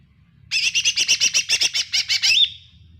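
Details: Lesser green leafbird (cucak ijo mini) lure song: a rapid series of about fourteen bright, chirpy notes roughly every tenth of a second, ending in a short upslurred whistle, with a low hum underneath.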